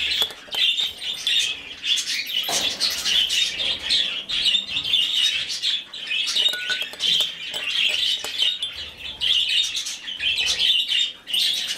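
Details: Rescued budgerigar chick during hand-feeding, begging with continuous harsh, pulsing rasps and occasional clicks, with brief quiet breaks.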